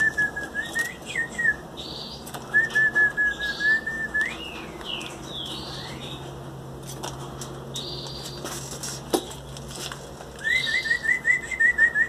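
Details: Hand-fed Belgian canary nestlings aged 18 days, fed soft food by beak, give three bouts of fast, repeated thin chirps: at the start, around the third second and near the end, with soft rustles between.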